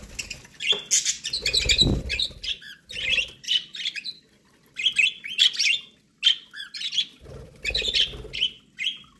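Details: ['Pet budgerigars eating corn, giving dense bursts of bright, buzzy chirps and warbles in quick clusters with short pauses, with soft low thumps of movement underneath.']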